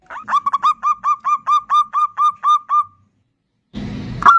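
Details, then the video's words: Zebra dove of the bodronoyo type in full song, used as a lure for other birds: a run of about a dozen clipped, hollow, repeated coos, then silence and a burst of broadband rustling noise. "Pancingan perkutut bodronoyo gacor super ampuh untuk pancingan."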